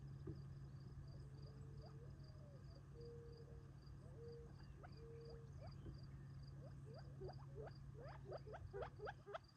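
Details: Gambel's quail flock feeding at dusk near Tularosa Creek, July 2021; drawn-out flat whistled tones early, then a quickening run of sharp clicky chips building toward the end, over a low steady hum.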